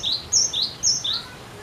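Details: Cinereous tit in insistent song meant to set other birds singing, giving two quick high-low whistled note pairs in a clear, brisk rhythm over faint background hiss.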